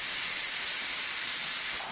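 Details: An angry pet cockatiel (Nymphicus hollandicus) gives a long, steady, breathy hiss that stays even throughout.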